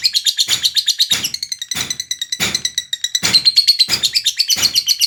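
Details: Lovebird delivering nonstop ngekek chatter, rapid scratchy chirps mixed with brief clear whistled tones, steady and high-pitched throughout.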